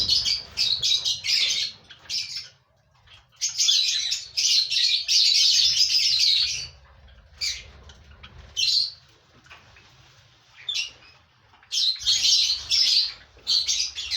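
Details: Captive lovebirds, five pairs breeding together as a colony, send out long stretches of shrill overlapping chatter. These break into shorter squeaky bursts separated by quiet gaps.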